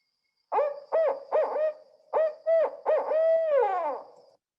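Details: Barred owl, a year-round resident, giving its rhythmic 'who cooks for you' hoots: about seven emphatic, slightly nasal notes, the last drawn out and falling away.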